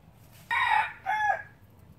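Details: Red junglefowl, a pure Laos breeder from 2016, in a short crow of two parts: a harsh, strained first phrase, then a shorter, slightly arched second note, about a second in all. Faint low background hum.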